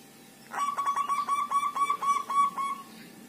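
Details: Group-caged local zebra dove, singing actively after five days: a rolling sequence of roughly eleven quick, staccato coos at a constant pitch, spanning about two seconds, then quiet.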